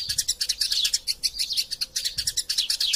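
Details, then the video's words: Eurasian tree sparrow in a fight, chattering as a master track: clipped high chirps about three per second, some rising and falling, with faint low bumps beneath. "Burung Gereja Tarung Gacor Passer Montanus passeridae Eurasian Tree Sparrow erasia suara masteran"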